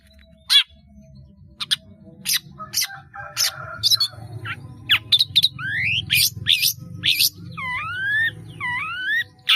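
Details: Long-tailed shrike in lively 'gacor' song, rich in mimicked fill-in phrases, used as a master recording for training caged birds: sharp clicks and chips, then rising whistled slurs and paired looping whistles, over a low hum.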